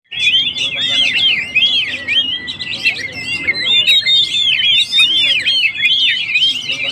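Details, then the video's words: Oriental magpie-robin, a singing kacer, used to provoke and rouse stressed birds: continuous rich whistled song of looping, slurred notes, rising and falling quickly, with dense overlapping phrases and no pauses. "suara burung Kacer gacor// naikan emosi//pancingan burung stress"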